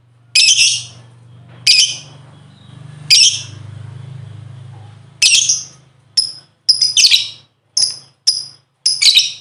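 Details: Lovebird calls played as a lure to stimulate other lovebirds to sing: harsh, screechy bursts about half a second long, repeated roughly every one and a half seconds, then shorter, quicker chips near the end, over a low steady hum.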